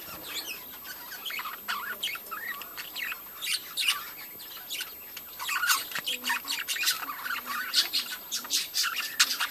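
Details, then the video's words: Budgie breeding colony chattering nonstop: overlapping warbled twitters, sharp chirps and scratchy notes from many birds, with occasional soft lower whistles underneath. "budgies breeding colony"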